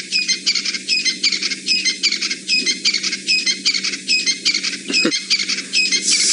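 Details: Crested francolins near a hyena den in the Djuma/Sabi Sand area of South Africa, on a chilly 4 September 2017 in golden light, give loud, harsh, rattling phrases repeated over and over in quick succession.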